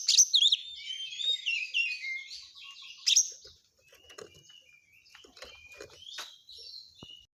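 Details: An oriental magpie-robin delivers a rapid song of high twittering and whistled phrases with a loud burst near three seconds, after which quieter scattered notes and faint clicks follow.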